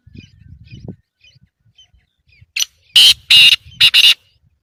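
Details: Black francolin calling: after a quiet start with faint low rumbles, a burst of loud, harsh, buzzy grating notes comes in a quick irregular series of about five strokes over roughly a second and a half.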